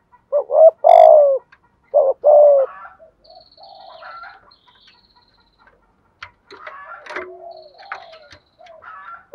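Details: Spotted dove cooing to stimulate decoy birds: two paired low coo phrases, each a short rising note then a longer falling one, followed by fainter scattered chirps and clicks of other sounds.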